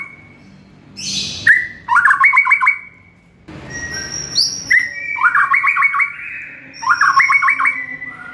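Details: Morning master song of a White-rumped shama, meant to train caged birds: a high buzzy note, then three phrases, each a clear lead whistle followed by a rapid, bouncing trill of bright notes, separated by short pauses.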